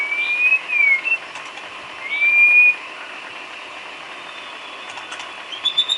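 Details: White-rumped shama filler song (isian) used for training cage birds: two clear, high whistled slurs, the first rising then dropping, the second a steady rising whistle, over a constant thin background hum.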